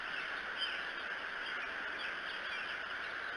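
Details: Bald eagles at their nest in Decorah on the morning of 13 May 2018; faint, wavering high-pitched call notes rise and fall through the clip over a steady, loud background hiss.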